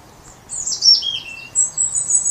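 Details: Loud European robin in a late January dawn chorus at about 8 o'clock, still dark, singing to proclaim breeding territory; high sweet warbled phrases sliding downward, then a sustained thin high trill.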